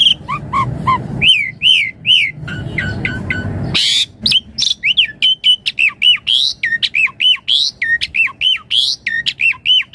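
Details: Javan pied starling song in the gacor style, full of variation and used as a lure: low hoarse chatter early, then quick repeated notes that rise and fall, each clear and whistled, nearly one a second and later faster.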